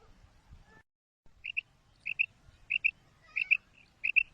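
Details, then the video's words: Female quail call: crisp paired chirps, the second note slightly stronger, repeated five times at a steady pace after a brief low rustle. "FEMALE BATAIR SOUND / BUDANA OVOZI"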